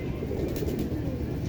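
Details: Domestic high-flyer pigeons in a winter loft of about 700 birds in Rajshahi, Bangladesh, coo together in a deep, rolling murmur as they call for food and scurry about in their cages.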